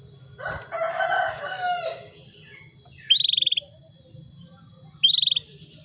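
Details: Female Atlantic canary calls a male into breeding mood with two short, high, rapidly pulsed trills about two seconds apart, after a louder harsh, noisy burst of sound, with a steady high whine throughout.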